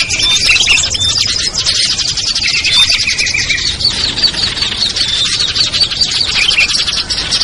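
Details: Noisy lure chorus of small birds such as ciblek, kutilang, trucuk, sogon and perenjak, intended to make reluctant birds descend: unbroken high-pitched chatter and chirps, a few thin whistles early on, steady throughout.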